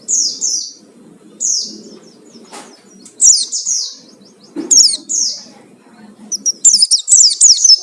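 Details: Oriental white-eye lure sound: short bursts of high, downslurred twittering notes separated by pauses, ending in a faster run of sharp chips.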